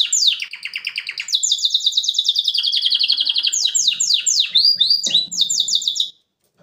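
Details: Male canary singing for the training of young birds: a continuous high song of rapid, evenly pulsed trills, shifting between several rolling tours and sweeping notes, before stopping abruptly near the end.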